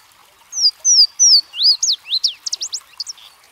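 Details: Song of a Louisiana waterthrush, a streamside bird: a clean introduction of three ringing, descending whistled notes, then an excited, twittering run of lower up-and-down swoops and short chips.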